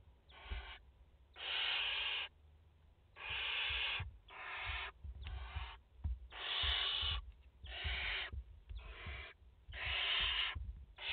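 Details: Nest of barn owls in France, mother plus four chicks, recorded 30 August 2021: a run of about ten overlapping wheezy hisses of varied length, roughly every second, with soft knocks and shuffling underneath.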